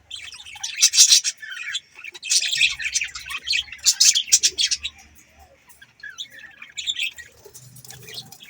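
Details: Several budgerigars (Melopsittacus undulatus) chatter in quick, scratchy bursts of high chirps and warbles, overlapping, with a faint low hum underneath.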